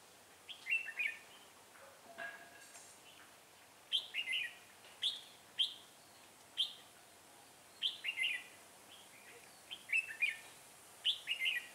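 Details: Red-whiskered bulbul used as a decoy to lure wild bulbuls into a trap, 6/12/2016, singing rapidly: short lilting, whistled phrases of two to four notes repeated about every second, clear over a quiet background.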